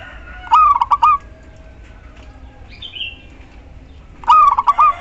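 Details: A female local zebra dove calls for the male in two fast, stuttering coo phrases nearly four seconds apart; a brief higher faint call from another bird is heard between them.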